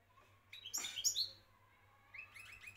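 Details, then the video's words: European goldfinch, Moroccan champion, heard fairly softly: a bright cluster of high twittering notes, then a pause and a run of quick repeated chips at the end. "حسون لغة بطل المغرب"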